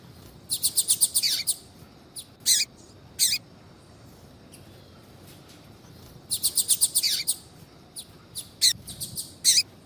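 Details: Female double-collared seedeater giving calls to stimulate male song: two fast bursts of about eight high, metallic repeated notes separated by single sharp chirps and a quiet gap, ending in spaced chirps.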